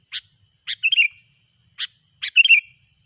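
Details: Sooty-headed bulbul singing, as played to lure bulbuls into traps: a sharp chip, then a chip followed by a rolling, bubbly warble. The pattern repeats twice against clean silence.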